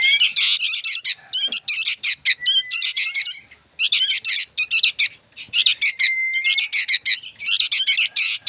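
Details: Young sooty-headed bulbuls calling noisily: dense bursts of harsh, chattering notes repeated rapidly with short pauses, some with thin rising whistled slurs mixed in.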